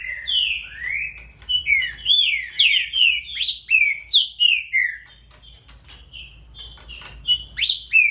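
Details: Baderninha-style song of a great-billed seed finch, made of rapid whistled notes that sweep down and sometimes up. The phrase is delivered in a dense burst, then eases into sparser notes near the end.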